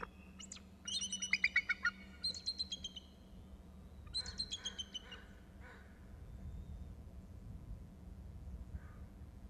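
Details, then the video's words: Bald eagle or eagles calling before one lands, captured by a camera: two bursts of high, squeaky, chattering notes in fast stuttering series, a short pause between them, then quiet with a low hum underneath. "Eagle(s) calling, lands on Gregg's"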